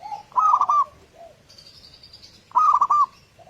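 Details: Local zebra dove (perkutut) singing, used as a morning lure for other doves: two bright warbling coo phrases with rippling dips, about two seconds apart, with faint softer notes and a thin high whistle between them.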